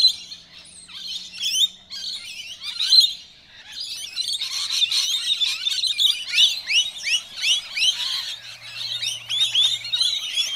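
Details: Rainbow lorikeets crowding together and fighting over food in suburban Melbourne, giving many shrill, screechy squawks and chattering notes that overlap and build into a dense, harsh chorus after a quieter start.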